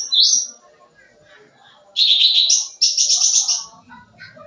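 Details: Sooty-headed bulbul in full, lively song packed with varied phrases, used as a lure for young birds. A sharp rising whistle opens, then after a pause come dense, buzzy, high chattering trills in two long bursts. A faint low murmur sits underneath.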